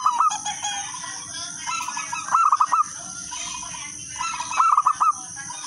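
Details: Local zebra dove singing steadily, used as a lure to set other doves singing: bursts of four or five quick mellow cooing notes repeated about every two seconds, softer coos between, steady high-pitched whine in the background.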